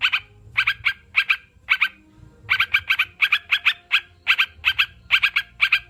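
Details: Repeated bright, clipped note clusters from a kept sooty-headed bulbul. Groups of two to four notes follow closely, with a short silence near the middle, over a soft low hum.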